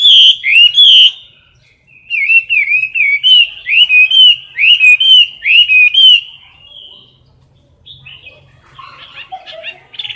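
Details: Competition song of a caged Chinese hwamei, recorded near the cage bars: a loud burst of whistles, a brief pause, then about eight bright, bouncing whistled notes in a row, fading into softer twittering.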